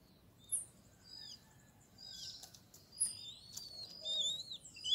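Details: Great kiskadees, a family at a feeder in an acerola tree, give scattered sharp high chirps and thin whistled notes, some sliding, amid soft rustling.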